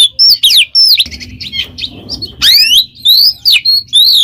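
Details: Kacer, or oriental magpie-robin, in loud gacor ngeplong song meant as a model for pet birds: steep downslurred whistles, a quieter rasping middle stretch, then bright sweeping whistles and short clear notes.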